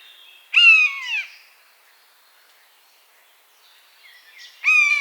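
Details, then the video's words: Buzzard heard in its natural habitat: two strong, slurred, downward mewing calls about four seconds apart. A weaker trailing note follows the first, and faint small-bird chirps sound before the second. "Buzzard Sound | Hear the Wild Call of a Majestic Bird of Prey"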